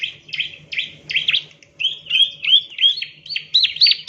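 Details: Lure recording of a bar-winged prinia (ciblek) chirping: grating chirps and a few clearer rising whistled notes, delivered in quick irregular runs with brief pauses, with a faint low hum.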